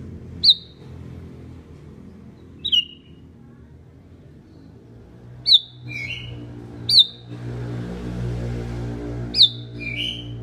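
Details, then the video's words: Sooty-headed Bulbul giving five sharp, clear notes that drop in pitch, a few followed by a lower second note, spaced every two to three seconds over a low steady hum. "Bulbul Singing, Sooty headed Bulbul Sounds Calling"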